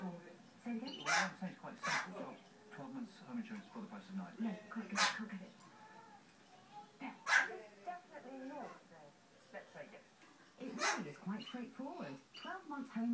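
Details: A pet Amazon ringneck parrot barks like a dog, giving short, harsh barks and yelps at irregular intervals mixed with speech-like chatter.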